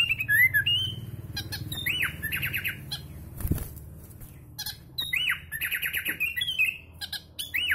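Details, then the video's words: Bred sooty-headed bulbul singing kutilang rasa murai: fluttering, rapidly repeated slurred phrases and high twittering notes mixed with harsher squawks, broken by a sharp knock and brief quieter gaps. "KUTILANG RASA MURAI - Sooty Headed Bulbul Sound"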